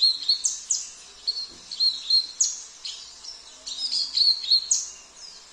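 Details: Oriental white-eye song with fills of canary, cililin, kapas tembak and jenggot songs: bright, high twittered phrases of quick rising and falling notes, given in bursts with short pauses between them.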